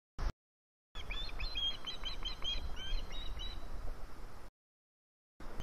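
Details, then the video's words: An osprey begging for food, 4 September 2017, gives a fast run of sharp, whistled cheeps, about four a second and slightly rising, over a steady low rumble of wind. "Rybołów domaga się jedzenia"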